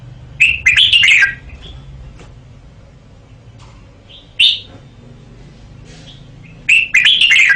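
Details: Red-whiskered bulbul, a caged male, giving bubbly warbled song phrases and a single clear note between them, over steady low background hum.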